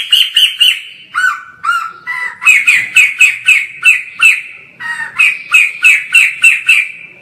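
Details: White-crested laughingthrush in full, energetic song, filmed from far away: loud, rapid series of harsh, chattering notes repeated about three or four times a second, dropping briefly lower mid-phrase before resuming at the higher pitch.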